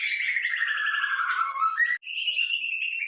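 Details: Training-model song of a white-rumped shama for cage birds: a falling, buzzy trilled run that ends in a rising note, a short pause, then a long steady whistle held near 3k.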